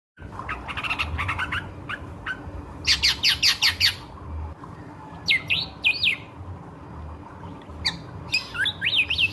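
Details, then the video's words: Ashy drongo singing energetically as a lure for nearby birds: varied bright chirps, harsh squawks and fast downslurred whistled notes in quick bursts, with short pauses between phrases and a low steady background hum. "SRIGUNTING GACOR PANCINGAN BURUNG SEKITAR"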